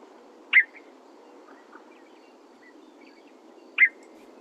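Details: Western Meadowlark call (not song), recorded in Santa Barbara County grassland: two sharp, abrupt chuck notes about three seconds apart, with faint softer chips between, over a steady low hiss.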